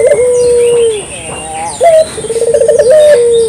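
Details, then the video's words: Clear local collared dove calls for luring: a long steady drawn-out coo falling at its end, then a short upward note and a fast trembling roll of coos, with soft chirps of other birds behind. "suara burung puter lokal jernih paling ampuh untuk pancingan pagi siang malam"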